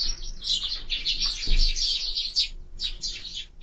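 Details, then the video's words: Excited sparrow chatter at a bird feeder watched by a bird camera: a dense, continuous stream of high, rapid chirps, a brief pause, then another burst of tweets. "#воробей #sparrow"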